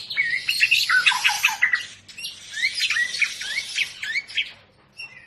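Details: White-rumped shama of the long-tailed Medan type during a pairing process for breeding: a dense, rapid run of sharp, squawky chirps and short whistled notes, crowded and overlapping, with the phrases fading out near the end.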